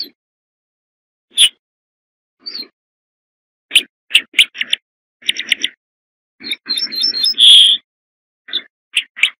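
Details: Corn bunting singing: scattered single ticks build into clusters of dry clicks, then a rapid stuttering run ending in a jangling, buzzy trill. The phrase ends about a second before the clip finishes, and a few more ticks follow in otherwise quiet surroundings.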